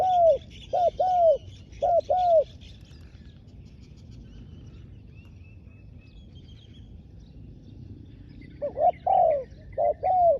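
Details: Spotted dove used as a ground-level decoy to lure wild doves, giving pairs of soft arched coos. Two pairs open the recording, then a quiet gap with faint high chirps from other birds, then two more pairs near the end.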